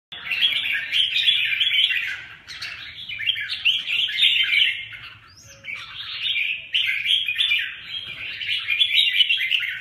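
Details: Two Huế-type red-whiskered bulbuls, a 'bướm' and a 'tê giác' bird, fighting each other; dense, harsh chattering and scratchy warbles pour out almost without pause, in bursts that briefly break off near the third and sixth seconds.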